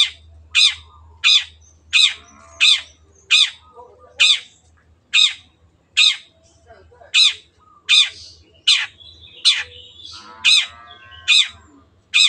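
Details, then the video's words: Long-tailed shrike, a kept bird, repeating short harsh squawks roughly every seven tenths of a second with a few faint chattering notes in between. "MASTERAN BURUNG CENDET GACOR"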